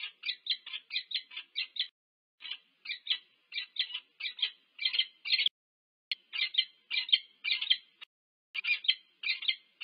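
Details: Peregrine falcons, a wild pair, greet each other at the nest at UC Berkeley, USA, 25 August 2023, picked up by a nest cam: rasping, clipped notes in rapid strings broken by brief gaps.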